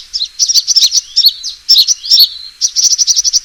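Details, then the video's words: Sunbird fighting call used as a lure: clipped high chirps, a few drawn-out slurred notes, then a fast, even burst of sharp twitters. "suara pikat burung kolibri tarung"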